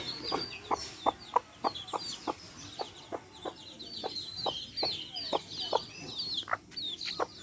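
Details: Hens kept in a backyard, together with chicks, cluck in a regular series, one short note roughly every half second, while many small chicks keep up a busy chorus of high, sliding cheeps.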